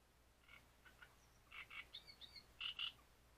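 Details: At Grachevka in breeding season, a great reed warbler delivers rasping, frog-like chattering notes, some in pairs, broken by thin high squeaks, ending in two loud grating syllables.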